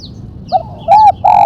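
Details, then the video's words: Spotted dove giving the 'mercik' style with one sharp 'kuk', recorded for luring and training: a short clipped coo followed by two fuller arched coos, with faint high chirps from small birds in the background. "Burung tekukur suara MERCIK kuk 1 tajam"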